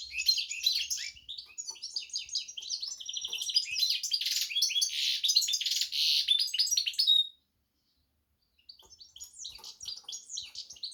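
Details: Goldfinch and canary hybrid singing a fast, varied run of high twittering notes, trills and buzzy phrases for about seven seconds, then a short pause before softer twittering resumes.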